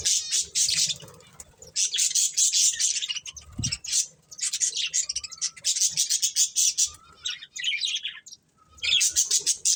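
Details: Pair of colourful breeding budgerigars warble in dense, rapid, high chattering runs, pausing only briefly between long stretches of twittering.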